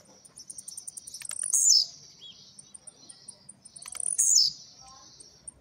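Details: Blue-black grassquit in a cage, recently through molt, singing rapid trincadeira: two sharp high buzzy bursts roughly two and a half seconds apart, preceded by clicky ticks and a faint steady high pulse.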